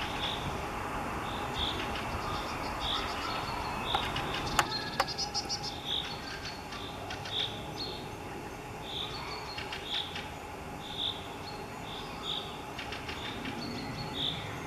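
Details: Eurasian nuthatch in Minsk on 1 May 2021 giving short, high, whistled notes, one roughly every second, over a steady background hiss with faint clicks and distant hum.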